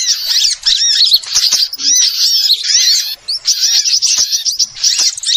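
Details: Many small birds chirping at once, used as a trapping lure: shrill, quick twittering notes in dense bursts, with one clear pause near the middle.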